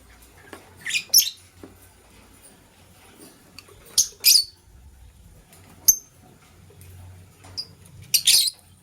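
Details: Green and blue lovebirds at morning feeding, the blue one scrambling for vegetables; paired scratchy high chirps and a short thin whistle, repeated at irregular intervals.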